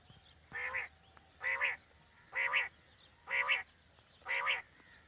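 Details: Quail calls played in the morning to lure quail for hunting: five nasal, buzzy, harmonic notes, each about a third of a second long, repeated roughly once a second over a quiet background hiss.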